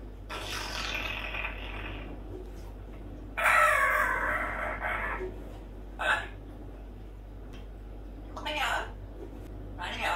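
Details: Female pet parrot in morning chatter, singing a cartoon theme tune; long harmonic warbled phrases with a loud rasping passage near the middle, then short voiced bursts separated by pauses.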